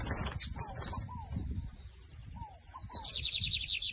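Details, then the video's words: Lined seedeater from Brazil with a rising lead-in whistle followed by a rapid buzzy trill of repeated notes, alongside lower slurred whistles from another bird, a constant high hiss and low background rumble. "BIGODINHO MAGNATA FOI PRA CIMA COM TUDO DO TORNEADO SOLTO!"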